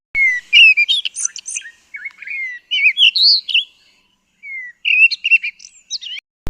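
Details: Cape robin-chat (Cossypha caffra) song from southern Africa: a varied run of clear whistled phrases and slurred notes, mostly high-pitched, in short bursts separated by brief pauses.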